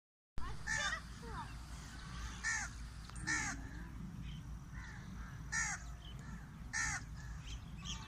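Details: A crow cries from a date palm: harsh, hoarse caws repeated at irregular intervals of roughly one to two seconds, over a steady low background rumble.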